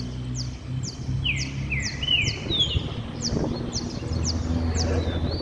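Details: Group of caged saffron finches singing falling whistled notes and a steady series of bright high ticks, over a strong low engine-like hum.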